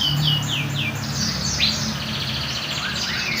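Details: Canary youngster learning to sing, starting with several quick downward-slurred whistles, then a buzzy sustained trill and a rising sweep, with a low hum behind.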